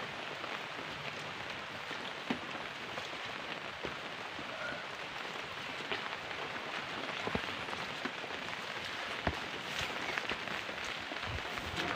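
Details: Steady rain patters on a surface throughout, with scattered louder drops and no animal voices.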